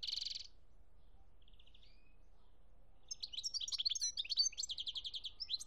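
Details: Algerian recording from 2017 of a European goldfinch: a short buzzy trill, a faint slurred note, silence, then an energetic stretch of bright twittering and repeated rattling trills.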